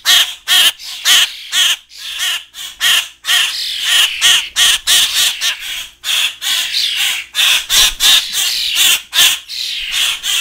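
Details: Big fledgling grackles and starlings in a feeding frenzy, demanding hand feeding in captivity. Loud grating squawks fire in rapid uneven volleys, separated by short silent gaps, in total chaos.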